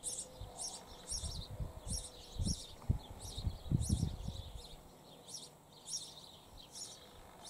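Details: Sparrows from a pair nesting in a hole in a church wall: bursts of high, sharp chirps repeated in quick clusters, with low thumping knocks in the middle.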